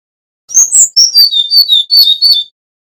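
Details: Singing male Brown-chested jungle flycatcher of the Bali type, flute-like and lively: after silence, a two-second string of bright, high whistled notes, each slurring downward, delivered in an even, bouncing sequence.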